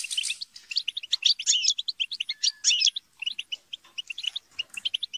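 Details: Group chatter and squabbling of European goldfinches to stimulate a kept bird's song, rapid liquid twitters with buzzy scolding bursts, a drawn note mid-clip, then evenly spaced chips.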